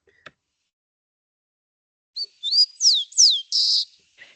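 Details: A Rufous-collared Sparrow (chincol), presented as an urban bird, sings a high, clear phrase: a couple of slurred whistles, two sharply falling notes, then a dry buzzy trill. A faint click comes before it.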